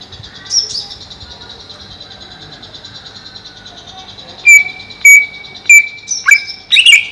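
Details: Caged greater green leafbird kept above a pond to keep it cool, where it seems livelier. Faint high whistles over a steady hum at first, then loud, clear whistled notes repeated about every half second, some with sharp high flourishes.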